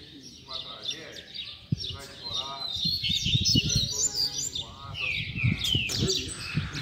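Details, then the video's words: Double-collared seedeater tutor song for training young birds: high rapid warbled phrases and falling whistles mixed with a man's voice speaking over the singing. "PUXADA TOP PARA FOGUEAR E ESQUENTAR A FIBRA - COLEIRO PROFESSOR APRENDIZADO"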